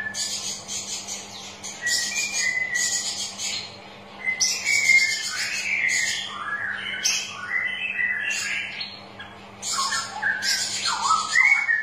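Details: Straw-headed bulbul singing, played to stimulate reluctant birds into song: loud, liquid warbled whistles tumbling up and down in rapid runs, broken by brief gaps, with high rustling chirps and a constant low electrical hum behind.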